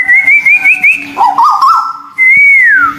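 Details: White-billed bulbul, local and Malaysian birds, in a therapy recording: a high, wavering trilled whistle, lower jumbled warbles, then one long pure whistle that swells and glides downward.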